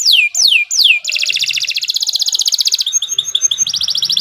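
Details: Canary master song for training: three loud falling whistles open, followed by a rapid, steady high rolling trill and a bright chattering phrase.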